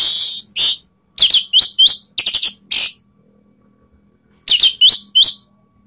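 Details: Orange-headed thrush singing to provoke rivals, a lure for other birds: loud, high, buzzy-whistled notes, many with a rising slurred tail, delivered in quick clusters with a gap of over a second between groups.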